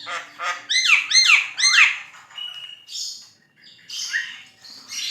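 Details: Javan myna in full song: three loud, swooping whistled notes that rise then fall, followed by harsh squawks and a flat whistle, rough and varied throughout.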